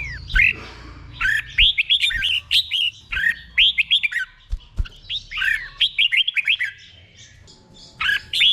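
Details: Slow, clear 'beun' song of a caged red-whiskered bulbul, meant for training birds to copy: repeated clusters of three or four arched whistles, phrase after phrase with brief gaps and low hum beneath.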